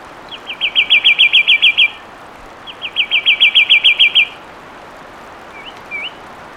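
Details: Loud fluid song of a fulvous wren: two bright, rapid trills of a dozen or so repeated notes with a brief pause between them, then two short rising whistles; the setting is otherwise quiet.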